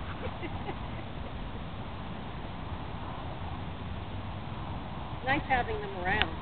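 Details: Sandhill cranes, a pair that keeps returning to a park in Palm Bay, Florida, dancing and unafraid of people; after a long stretch of low wind rumble, a short burst of rolling, harmonic, trumpeting calls sounds near the end.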